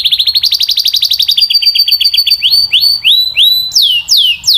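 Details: Canary singing a fast pulsing trill that slows into separate upward-sweeping whistled syllables, each phrase repeated several times.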